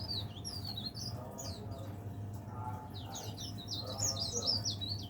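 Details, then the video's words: Leaf warbler kept as a cage bird, singing all day; high chattering and sharply swept whistled notes in bursts, with some lower muffled sounds and constant background hum. "burung pare-pare / cikrak daun gacor"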